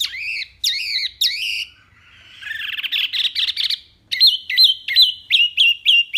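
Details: Wambi mini singing a varied, clear song: three harsh descending notes, a pause, a long buzzy rattle, then a steady string of sharp rising-and-falling whistles.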